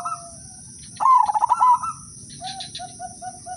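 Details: Zebra dove of the udanmas silver type sings one loud, quick, rippling coo phrase as a lure for other doves. Afterwards comes a run of short, soft repeated notes from another bird, all over a continuous high whine.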